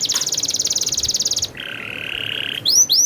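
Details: Canary rolling song: a rapid high rattling trill for about a second and a half, a lower buzzy rolling tone, then quick upswept whistles.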